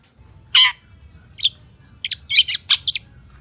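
Long-tailed shrike giving harsh, scratchy high notes: one burst, a pause, then a quick run of six chattering notes; faint low hum behind.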